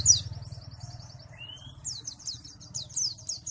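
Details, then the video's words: White-eye (pleci) from Malang: a loud high chirp, then a thin rapid buzzy trill, a short rising whistle, and quick high downslurred chirps, with a low background hum. "pleci Malang suara mantap"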